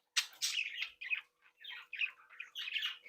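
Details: Budgerigars in a home breeding colony warble happily: a loud harsh squawk opens, followed by bursts of buzzy, chattering phrases separated by short gaps.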